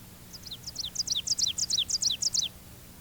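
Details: Ovenbird's emphatic song, given from a low perch in the forest understory: about eight high two-noted 'teacher' phrases in quick succession, growing louder toward the end, over quiet background hum.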